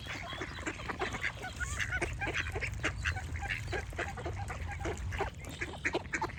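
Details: Continuous duck quacking from several birds, harsh honking calls tumbling over one another at a quick pace, with a low constant rumble and occasional high chirps from small birds.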